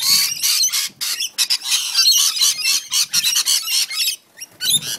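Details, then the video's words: Squabbling rainbow lorikeets in a Central Coast, New South Wales back yard: dense, almost unbroken shrill rasping screeches, a short lull near the end, then screeching resumes with low scuffling sounds. "Funny Rainbow lorikeet fight"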